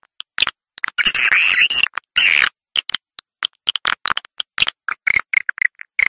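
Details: Swiftlet calling, Vietnamese sound: two longer rasping, chirruping twitter bursts early on, then scattered brief high chips and clicks spaced irregularly with silent gaps.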